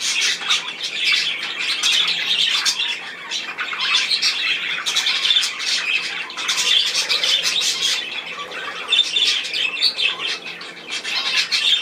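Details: Many budgerigars in a room producing steady, dense twittering and squawking, louder bursts rising around the middle and near the end.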